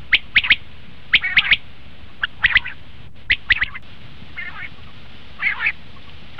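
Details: Common quail calls, used to lure quail for hunting: sharp three-note bursts around two to four kilohertz repeated at irregular intervals, with a few softer, raspy, buzzy notes in between over a low background hum.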